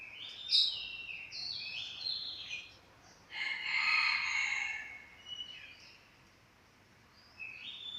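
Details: Chestnut-capped thrush that has just finished moulting, singing loud varied phrases: short sliding whistles and warbles, then a dense buzzy burst lasting about two seconds, followed by quieter notes and a final rising whistle.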